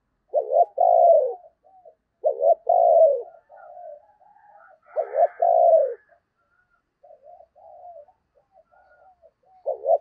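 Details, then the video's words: Spotted dove decoy cooing during Tet to bring in wild doves, three loud phrases of a stuttering note plus a falling coo, with softer low murmured notes between them. "Tiếng Chim Cu Mồi Thúc Gù Cực Hay và Hắp Dẫn Để Anh Em Kích Bổi Mùa Tết"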